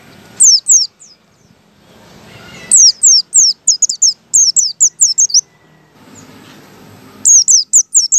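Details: White-eye, likely wild-type, in a recording used as a lure for white-eyes, sings in bursts of high, thin, descending chirps, about four per second, separated by short pauses, over a faint background hiss.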